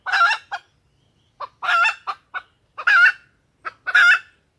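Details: Female junglefowl lure call, used to attract males and make them crow: harsh, nasal clucking bursts in pairs, a long rasping note followed by a short clipped one, repeating roughly every 1.2 seconds in a quiet setting.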